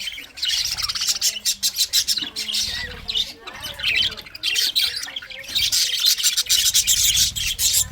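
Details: English budgies, pet parrots, chirping and warbling busily; dense, scratchy high chatter with rapid clicks and squawks, pausing briefly around three seconds and again near five.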